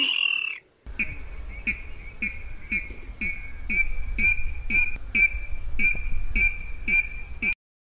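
A water rail repeats a steady call about twice a second. Each note pairs a low, grunting drop with a thin, squeaky high tone, over a faint background hiss.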